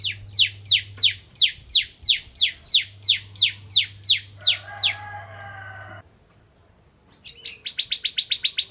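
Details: Bar-winged prinia, Ciblek Kristal variety, singing to provoke other prinias. A string of about fourteen downward-slurred whistled notes, then a harsh buzzy note, a short silence, and another rapid chipping series. A faint low hum sits underneath.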